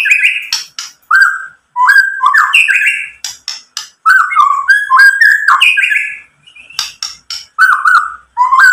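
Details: White-rumped shama (murai batu) sings rich, fluting whistles mixed with sharp chips and rapid varied phrases, used as a lure to provoke caged birds into singing.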